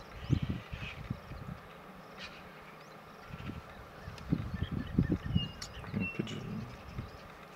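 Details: Many wild white-backed vultures squabbling at an elephant carcass in northern Kruger National Park, alongside a few Cape vultures; rough low grunts and hisses arrive in clustered bursts separated by a quieter gap, with faint high bird whistles in the background.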